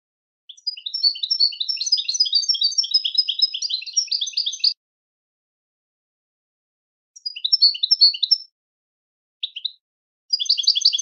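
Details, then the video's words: Goldfinch song for training goldfinches: a long rapid twittering run of bright, tinkling notes for about four seconds, then shorter twittered bursts after a pause, with clean silence between. "Super Song To Teach And Listen To Goldfinches Birds"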